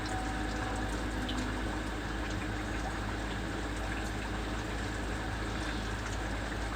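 Steady rushing of water filling or pumping, like a running tap in a small indoor room, with a constant low hum and no animal voices.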